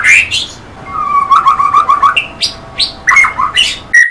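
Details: White-rumped shama opening with a clear whistle, then a quick rolling trill of repeated notes, followed by scattered loud chirps and a final sharp whistle.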